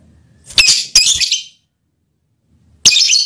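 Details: Courting lovebird calling to the male partner, two quick harsh, stuttering shrieks back to back, then a pause and another strident squawk.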